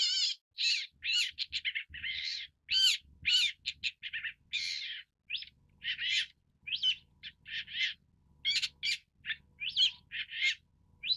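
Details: A long-tailed shrike (Lanius schach) pours out a long irregular series of grating, buzzy notes and quick squeaks, strongest early on, thinning to scattered chirps and rasps toward the end.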